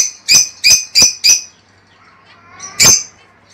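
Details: Caged lovebirds calling to encourage mating and breeding: four evenly spaced shrill high chirps about three per second, a pause with soft low twittering, then one more piercing chirp.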